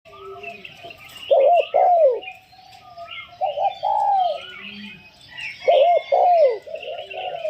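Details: Spotted dove kept as a decoy bird, giving its showy calling style: low, throaty coo phrases of two or three notes, spaced a few seconds apart, over busy high chirping from other birds in the background.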